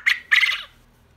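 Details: A male pet quail, kept alone and briefly isolated from his females, crows to call them: a short, sharp chirp followed by a longer, buzzy, rasping phrase, all within about two-thirds of a second.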